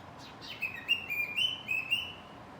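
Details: Hiding cockatiel sings a clear, loud whistled phrase: two quick upward-swept notes, then a sustained wavering whistle broken into several short pulses, with a soft hiss underneath.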